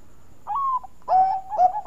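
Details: Zebra dove of the Bangkok perkutut type: a rising, wavering opening note, then a long level coo broken by a short dip. Part of a sweet lure song.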